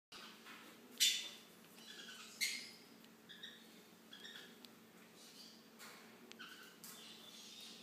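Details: Baby green-cheeked conures being hand-fed indoors, giving short, high, scratchy squeaks in scattered bursts about once a second or two, with quiet room hum underneath.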